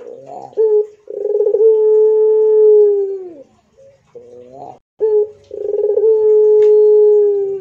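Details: Pelung-type Barbary dove cooing: a short note, a bubbly rolling onset, then a long steady low tone held about two seconds and falling at the end. The pattern repeats once.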